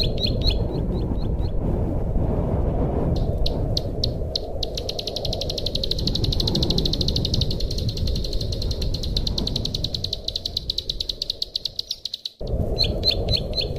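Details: Bar-winged prinia song used as a master and lure sound: a few scattered chirps, then a long rapid buzzy trill of high notes that fades before the recording breaks off, ending with more chirps over low hiss.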